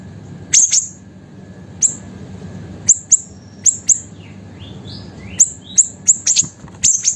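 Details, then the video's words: Small, lively siri-siri songbird used as a master song for training other songbirds: very high, sharp chirps repeated irregularly, some in quick pairs, mixed with softer lower whistled notes that slide downward. "BURUNG SIRI-SIRI KECIL GACOR COCOK UNTUK MASTERAN DAN PANCINGAN SEGALA BURUNG KICAU"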